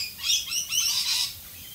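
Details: Australian rainbow lorikeets calling in the rain: a burst of high, harsh screeching chirps in three loud pulses over under two seconds, with a soft hiss of rainfall behind.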